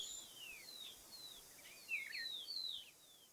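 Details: Cattle Tyrant from Argentina: a quiet series of thin, high, downslurred whistled notes, some short and sharp, clustered more densely in the second half and given over a soft background hiss.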